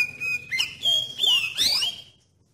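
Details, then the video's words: Oriental magpie-robin lure song for prompting other magpie-robins to sing: a single phrase of a held high whistle, then looping slurred notes and a bright upward-sweeping ending. "Suara Pancingan Kacer Paling Ampuh Bikin Kacer Lain Cepat ON dan Nggacor"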